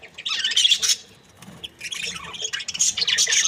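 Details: Breeding pair of Australian budgies, described as happy: bursts of bright, scratchy high chirps and chatter, a quiet gap near the middle, then dense warbling resumes.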